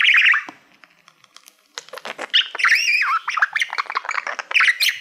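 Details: Male pet budgerigar singing at a mirror-like silver plaque, a squeaky opening phrase, a short pause, then fast chattering warble with wavering whistled slides and clicks.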